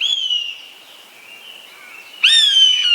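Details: A buzzard's mewing cry fades out at the start. After a quiet gap, another strong, harmonic, slightly falling whistle begins and carries on loudly to the end.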